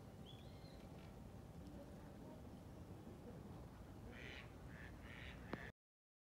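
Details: Eastern spot-billed duck calling to bring the group together: a quick run of three or four short, harsh quacking bursts near the end, over steady low rumbling background noise, with a faint thin whistle near the start.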